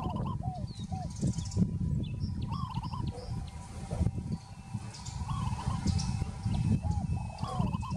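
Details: Peaceful dove calling with short bubbling trilled coos, repeated every two to three seconds, against a constant low rumble and thin high twitters from other birds.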